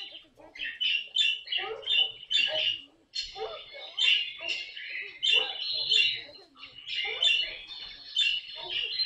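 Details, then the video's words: Caique parrot in a home, chattering and squawking continuously in harsh, buzzy bursts, rising and falling in loudness, with a brief lull near the third second. "попугай каик!"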